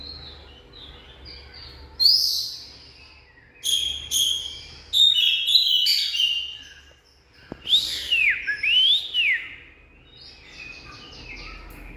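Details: Oriental magpie-robin singing: loud bursts of varied whistled phrases, some sweeping down, others clipped and buzzy, separated by short pauses, with a sharp click near the middle over faint background hum.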